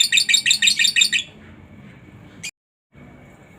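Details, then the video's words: Lovebird ngekek, from master training recording: a short burst of about nine quick, shrill chattering notes over one second, then quiet background hum and a brief sharp click. "masteran burung Lovebird ngetik,ngekek cocok buat lb lain biar cepat gacor ,ngekek panjang"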